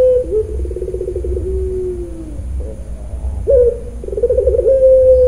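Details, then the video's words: Captive puter pelung dove from Kroya, Cilacap, Central Java, in 'nangis' crying style: a trilled coo sinking into a falling hum, a pause, then a rising note and another quivering phrase ending on a level tone. "puter pelung nangiss"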